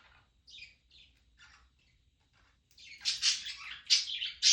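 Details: Two pet budgerigars chatter with high, scratchy chirps that grow louder and denser toward the end; Budgerigar.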